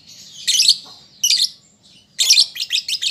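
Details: Immature lovebird rehearsing song: three loud, grating squeaky bursts separated by brief gaps, the last breaking into quick staccato chirps.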